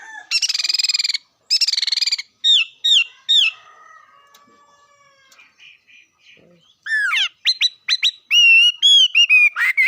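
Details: Bird song opening with two long buzzy trills, then sharp descending whistled notes, a quiet gap with soft tones, and a closing rush of rapid sweeping whistles.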